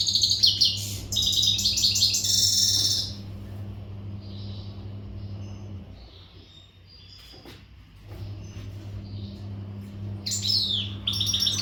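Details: Readiness song of an untutored Western goldfinch: a dense burst of bright, rapid twittering for three seconds, then a long quiet spell with low hum and faint soft notes, before the song resumes briefly.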